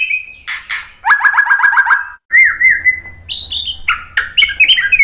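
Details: White-rumped shama singing, used as a lure to stir other birds to answer: short whistles, a fast run of seven sharp downslurred notes, then a long steady whistle and varied high phrases.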